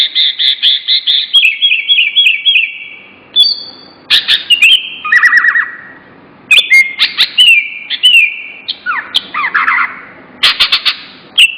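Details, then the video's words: Bird song opening with a fast run of repeated whistled notes, then descending slurred whistles, trills and sharp high clicks in varied bursts, loud and close with a quiet background. "Kicau burung yang hebat"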